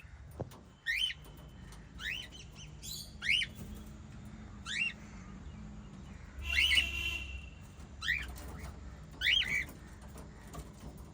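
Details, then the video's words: A family of white lovebirds chirping steadily: bright, rising squeaky notes about once a second, with one longer, buzzier squawk partway through. "White Little LOVE Birds Chirping Sound"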